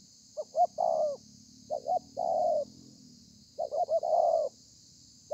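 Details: Spotted dove in thổ pha song style, recorded 30/11/2020: three phrases of two brief coos leading into a drawn-out, slightly falling coo, with quiet gaps and a steady background hiss.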